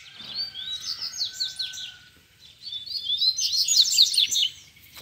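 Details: Rusty-collared seedeater challenging rivals near a cage: rapid twittering song phrases with quick slurred notes, the second phrase louder, over a faint steady hum.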